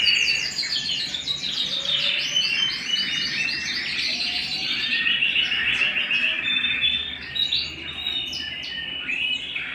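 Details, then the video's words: Indoor canary singing a dense, lively stream of high chirps, quick trills and twittering phrases that shift between rapid bursts and rolling runs, steady and unbroken throughout. "canary bird - canary singing - canary sounds - canary singing at home"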